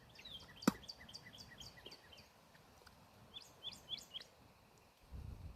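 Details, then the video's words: Cardinal described as a master singer looking for a fight delivers a fast series of falling whistles, a sharp click, then a few brighter slurred notes over faint background noise. "Cardenal Maestro , Buscando enfrentamiento"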